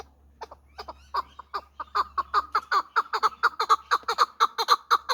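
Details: Hybrid fighting partridge from last year's brood calling: short clucking notes start sparse, then speed up into a steady run of about two per second, each note harmonically rich and mid-pitched.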